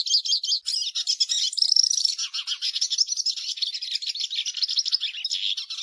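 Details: Continuous, hurried song of a Hooded siskin: dense, high, jangling twitters mixed with buzzy trills and a few brief lower chattering notes, running for the whole six seconds.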